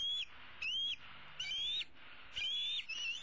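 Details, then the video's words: Young female bald eagle, the older eaglet of 2016, roosting in a tree with one leg dangling, calling for her parents to bring food on 15 April 2016: four thin, rising whistled calls, each about half a second long, over steady background hiss. "E7 dangles her right leg and calls for her parents to bring her some food."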